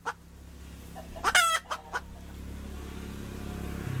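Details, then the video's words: A hen gives a brief cackle: a few short dry clucks around one loud, harsh, drawn-out squawk, then quiet with a steady low hum underneath. "Poj qaib dib เสียงไก่ตัวเมีย เสียงจริง"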